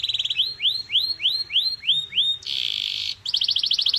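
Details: Canary song used as a singing stimulus: a short fast trill, then a series of rising, upslurred whistles about every third of a second, a harsh buzzy burst, and a quick rolling trill.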